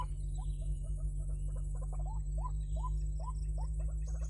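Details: White-breasted waterhen lure call played to draw birds in for trapping: short rising notes near one pitch, repeated irregularly among softer clucks, over a steady low electrical hum and faint high whine.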